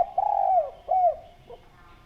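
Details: Lure recording of a clear-voiced spotted dove: a long drawn coo sliding downward, then a shorter arched coo, ending with a faint low note.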